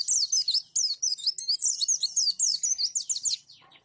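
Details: Roll tembak song with wituwit from a white-eye (pleci), meant for mastering other pleci. A continuous rapid rattle of sharp, high twittered notes, evenly spaced and loud, fading out at the end.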